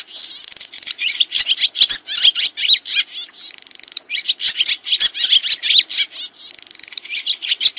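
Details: Rapid swiftlet twittering, used as a master recording to teach kacer and murai birds: crowded sharp chirps at about three per second, irregular, mixed with short thin buzzy trills, high-pitched throughout with no other sounds.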